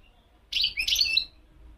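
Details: Wild European goldfinch gives a brief burst of high, liquid twittering, quick tinkling notes tumbling together for under a second against a quiet background.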